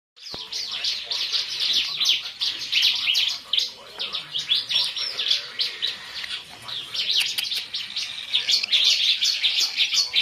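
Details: Baby cockatiels fighting each other give dense, harsh, high chirps and screechy notes in rapid overlapping bursts.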